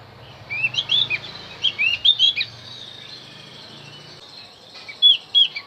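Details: Javan white-eye song used to lure wild birds: bursts of high, quick chirping notes with rapid upward and downward slurs, clustered around one second and again near five seconds, separated by quiet gaps and a faint low hum.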